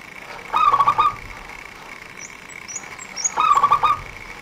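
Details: Local zebra dove kept as a lure for bird trappers, singing quick close-packed coos: two half-second rolling phrases of clipped notes nearly three seconds apart, with thin high chirps from another bird between.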